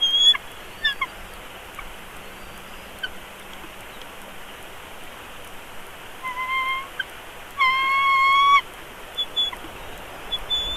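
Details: Young bald eagle being fed at its nest in Big Bear Valley, March 2022, two weeks after hatching: scattered short chips, then a longer piping note around eight seconds, above steady wind-like hiss.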